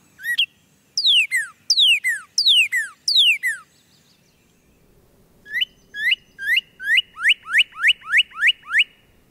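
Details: Northern cardinal calling in trees above a backyard mini-pond: five loud, steeply falling whistles, a pause, then about nine quicker, lower, down-slurred whistles in a fast series.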